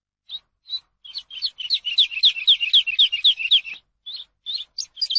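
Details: Eurasian skylark song for teaching captive birds: single high chirps build into a dense, warbling run of fast varied notes, then thin out into spaced chirps again.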